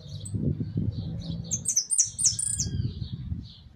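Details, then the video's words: A caged hooded siskin in a large cage, singing: a quick run of high, thin twittering and sweet chirps, over a steady low rumble of background noise. "Jilguero amarillo priando"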